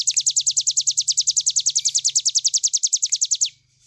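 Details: Cigun bird singing in the rapid-fire nembak style, kept as a training recording for other birds: a fast run of about 30 sharp, high downslurred notes, nearly eight per second, for three and a half seconds over a faint low hum.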